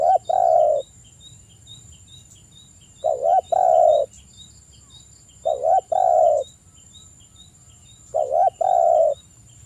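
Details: Spotted dove calling to stimulate other doves. It gives a low cooing phrase, a short note followed by a longer mellow coo, repeated about every two and a half seconds over a steady high insect hum.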